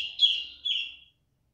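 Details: Female cungkok, loud and unwilling to stop calling: two clear whistled notes, the second softer, fading out after about a second, with no other sounds around them.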